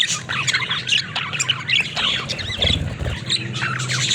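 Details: Pet budgerigars in a dense, continuous warbling chatter of fast squeaky chirps and twitters, rising and falling, over a steady low hum.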